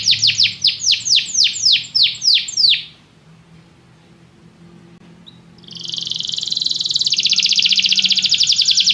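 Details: Singing canary for training: a series of loud descending swept notes, a pause, then a sustained fast buzzy trill.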